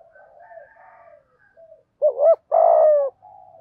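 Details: Decoy spotted dove calling wild doves in the morning; faint distant wavering coos at first, then a loud close phrase of a double coo followed by a long steady coo, with soft cooing after.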